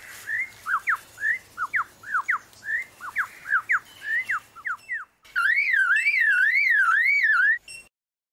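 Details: Lyrebird mimicking other sounds: a rapid run of clear downslurred whistles, roughly three per second, then a continuous warbling tone that swoops smoothly up and down for over two seconds before stopping abruptly.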